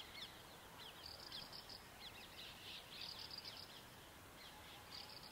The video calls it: Graceful Prinia calling